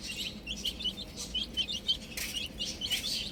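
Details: Little chicks playing with a ball give rapid high peeping chirps, short downward notes that overlap with one another, along with faint background rustling.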